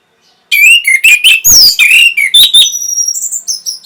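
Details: Song of an Orange-headed thrush meant to bring on breeding condition and prompt answering: a dense burst of rapid varied warbled and whistled notes, then long thin high whistles trailing off.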